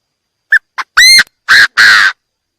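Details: Chinese francolin giving its call, noise-free recording meant for lure playback in trapping. The phrase runs from two brief notes through a clear ringing note into two long, coarse, hoarse notes, loud and rhythmic.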